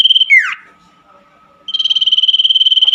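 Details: Night song of the common iora (cipoh), for caged birds stuck silent: a trill ends in a sharp downward swoop, a second of near quiet with a faint steady low tone, then a fresh high pulsed trill starts.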